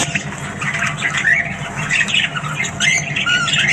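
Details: Australian budgies heard in the morning, a busy flock chatter of squawky, warbling notes and short chirps running without pause, with a steady low hum underneath.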